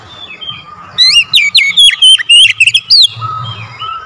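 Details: Oriental magpie-robin (kacer) song used as a lure to set other birds singing hard and agitated: a one-second lead-in of soft whistles, then two seconds of loud, quick, sweeping whistled notes and slurs, easing back to faint warbling.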